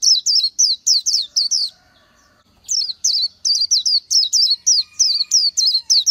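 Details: Oriental white-eye in the wild singing fast high, slurred whistles in two strings broken by a half-second silence, notes evenly spaced and clear.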